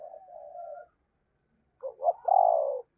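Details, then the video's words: Decoy spotted dove in the 'thổ' voice style: a soft wavering low coo, a pause, then a loud, hoarse, stuttering coo swelling into a long held note. "tiếng cu gáy - Chim Cu Mồi Giọng Thổ Gáy Hay"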